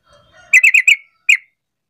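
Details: Sooty-headed bulbul calling to draw other bulbuls into answering: four quick harsh chattering notes, a short pause, then a single matching note, over faint low tones at the start.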